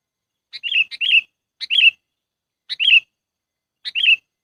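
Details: Sooty-headed bulbul lure call used to attract birds for trapping: short bright chirpy phrases, each a quick note followed by a warbling burst, repeated roughly once a second in a clean recording with no other sounds.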